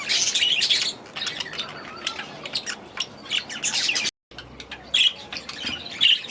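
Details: Last year's baby budgerigars in a new aviary; bursts of sharp chirps and warbling chatter, a brief silent break, then chirping resumes.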